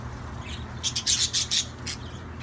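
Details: Budgerigar giving a quick burst of five or six shrill, scratchy chirps in about a second, then a single softer chirp, over a faint low hum.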